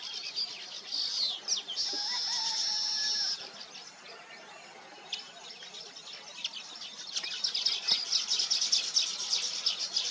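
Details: Weavers around their nests: buzzy sizzling notes and chirps, a lull of sparse calls midway, then a louder burst of overlapping chatter at the end.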